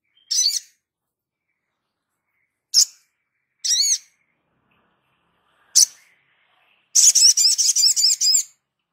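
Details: Sogon singing 'gacor' as a tutor for training other birds: scattered sharp, buzzy high notes at irregular intervals, then a rapid, loud string of repeated warbling notes lasting about a second and a half.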